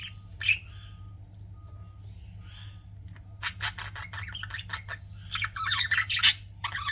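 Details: Pet budgies, mostly quiet at first with a few isolated chirps, then a busy run of clicks and squeaky, scratchy notes building in the last few seconds, over a low steady hum.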